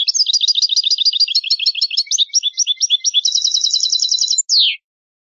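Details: ['European goldfinch song from a tutor recording made for teaching young birds to sing: rapid, high twittering notes run into a fast trilled phrase, closing with a single buzzy descending note before silence. Clean background, no other sounds.']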